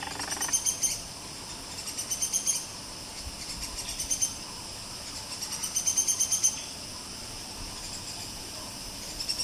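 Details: Buff-rumped woodpecker in Malaysian rainforest gives high, thin chattering trills, each about a second long, repeated every couple of seconds over a steady insect drone.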